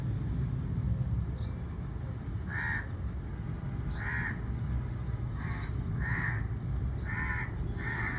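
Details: Crow repeating short, raspy caws roughly every second, about six in all, each often preceded by a brief high rising chirp from another bird; continuous low background rumble throughout.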